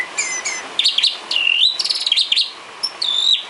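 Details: White-rumped shama, called murai batu, singing isian filler song for cage birds: high clear whistles, then loud rolling trills and level whistled notes in a dense, rapidly changing sequence.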